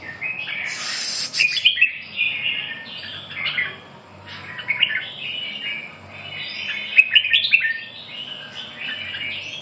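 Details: Red-whiskered bulbul giving bursts of mellow whistled phrases mixed with sharper chirps, the phrases separated by short quiet gaps.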